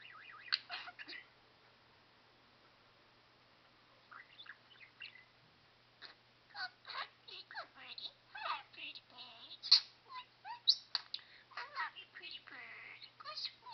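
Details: An eight-year-old talking budgerigar chattering speech-like phrases indoors; a few scratchy notes, a quiet pause, then a long dense run of rapid squeaky syllables and whistles.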